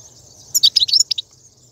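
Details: European goldfinch wild batbata, 2019, played to encourage caged birds to sing: a brief quick string of bright, tinkling, slightly buzzy twitters lasting under a second, set against a faint steady high hiss and low hum.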